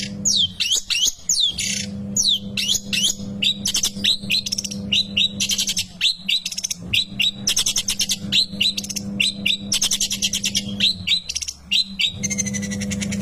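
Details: A long-tailed shrike being fed gives dense bursts of loud, squeaky, downward-slurred chirps, some churring and rattling runs between them, almost nonstop, with a constant low hum behind.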